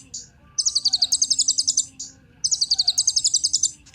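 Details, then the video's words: Kolibri ninja sunbird song used as a lure to get other caged birds singing: two bursts of rapid, high, buzzy trilled notes, each about one and a half seconds long, with a short high chip between them. "Kolibri Ninja Pancingan Penggacor Burung Cocok Buat Isian Segala Burung"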